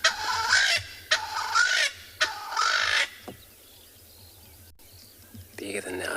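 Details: Swainson's spurfowl at sunrise on 5 March in Tswalu Kalahari Reserve, South Africa, gives three loud, harsh, grating crows about a second apart, then falls silent, while a low engine hum runs underneath.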